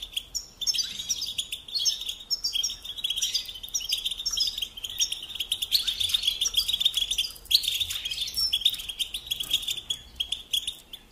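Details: Sustained song of a European goldfinch kept at home, a dense stream of tinkling twitters, slurred whistles and buzzy trills with brief dips between phrases.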